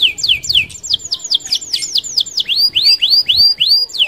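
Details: Canary in lively rolling song, meant to lure other canaries: fast sequence of down-slurred whistled notes followed by a series of rising, arching whistles about four per second.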